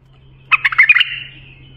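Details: Short bulbul song phrase meant for training young bulbuls: a rapid run of five or six bubbling notes fading into a thin sustained whistle, a low hum in the background.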